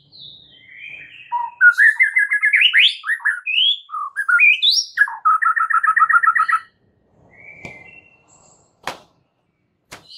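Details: White-rumped shama singing to coax a silent bird into answering: rich rising and falling whistled phrases, a rapid repeated trill, then quiet pauses with a few sharp clicks.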